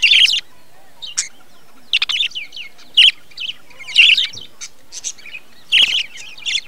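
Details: Budgerigars in a breeding colony hut in 2020, giving bursts of harsh, buzzy chirps and chattering warbles in short clusters separated by brief quiet gaps.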